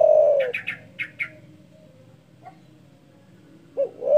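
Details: Spotted dove with a big-voiced call said to provoke rivals: the tail of a long coo, brief high chirps from another bird, a quiet gap, then two short hoots starting a new phrase.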